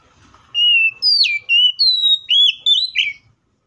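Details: Oriental magpie-robin in vigorous fighting song, used as a lure to make other magpie-robins sing: six or seven loud whistled notes in quick succession, some steady, some dipping or climbing, lasting about two and a half seconds.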